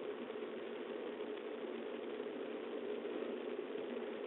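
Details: Even engine-like droning noise fills the mid range throughout, with no animal calls.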